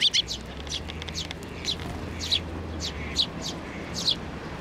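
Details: Sparrows taking food from the hand at a Tenmangu shrine in spring; loud, clipped chirps, a quick double note at the start, then single chirps about once a second over steady low hum.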